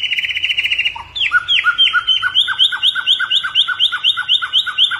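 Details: White-rumped shama, a Borneo-type variety: a fast trill of short notes, then a rapid series of about four paired, downslurred chip notes per second, steady and repetitive, like an imitation sequence.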